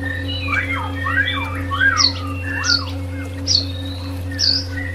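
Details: Shama song for therapy of stressed birds: rich looping whistles and high piercing upslurred notes spaced about a second apart, backed by a constant low drone.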